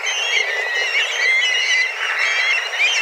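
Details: A large group of black kites circles and calls hard while seeking food; a continuous wash of high, quavering whistles from many birds, overlapping with no gaps.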